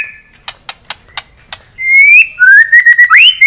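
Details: White-rumped shama song used to provoke an opponent bird: a few dry clicks, then loud clear whistled notes, level and rising, with quick overtone-rich flourishes.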